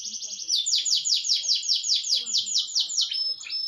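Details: Canary singing a long rolling song indoors, kept as a cage bird: fast trilled phrases of high, sweeping notes repeated about twice a second, steady and continuous for the whole stretch, with faint low background murmur.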